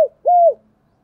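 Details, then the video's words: Decoy spotted dove that lures wild doves, giving the tail of one falling note and then a single clear, hollow, steady coo that slurs down at the end, in otherwise quiet surroundings. "Chim Cu Mồi Như con này anh em nào cũng muốn sở hữu, bổi rừng nghe ức chế mà về cội"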